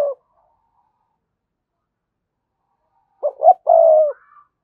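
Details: Spotted dove used as a decoy to provoke wild doves into cooing: one short hoarse note, a rising note, then a long rolling coo near the end after a long silence.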